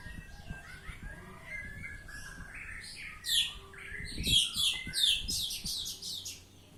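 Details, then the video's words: Oriental magpie-robin (kacer) singing ngeplong: soft warbling builds into loud, very high, fast repeated chattering phrases with sharp downslurred notes, over faint low thumps. "Kacer Ngeplong"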